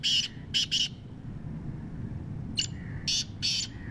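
A black francolin gives harsh, grating notes in short clipped groups over a low background rumble.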